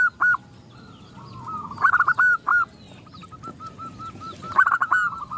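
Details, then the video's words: A calling female zebra dove draws answers from the males: short loud coos, then bursts of rapid stuttering rolling notes, and a fainter string of even coos from a more distant bird, with light chirping. "Perkutut betina memanggil jantan bikin semua perkutut ikut bunyi"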